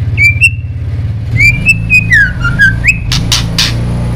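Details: Songbird song used as master audio to trigger oriental magpie-robin singing: clear whistled notes sliding up and down, then three harsh rasping bursts, all over a loud low engine-like rumble.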